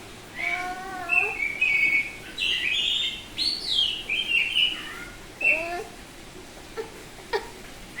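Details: Semi-tame Bali-type oriental magpie-robin singing loudly ngeplong: varied whistled phrases, buzzy harmonic notes and rich warbles, with several sharp clicks near the end.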